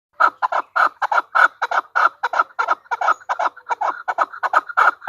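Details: Female chukar partridge calling: a steady run of loud, hoarse clucking notes, many in quick pairs, about twenty in five seconds, with no other sounds.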